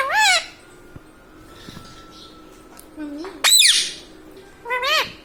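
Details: Indoor pet Indian ringneck parakeet, a talking parrot: three separated calls, a short arched harmonic note, then a loud harsh squawk, then a wavering two-part call, with quiet gaps between.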